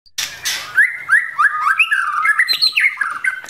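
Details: White-rumped shama of forest stock, a female prompting the male to practise his singing; brief noisy start, then a run of clear whistled notes rising and falling between mid and high pitch, several short slurred phrases in quick succession.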